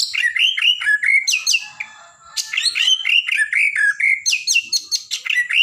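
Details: Vigorous song of a blorok white-rumped shama, used to rile up other birds, with dense strings of rich warbled and whistled notes, sharp high chips and a short break midway.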